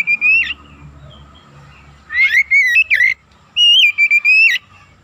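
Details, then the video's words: Loud, clear whistling from an Oriental magpie-robin used to provoke rivals into song; three phrases of sustained whistles with quick flicks and upward turns, separated by short gaps over a quiet background. "PANCINGAN TERCEPAT MENAIKAN EMOSI KACER GACOR DENGAN CEPAT"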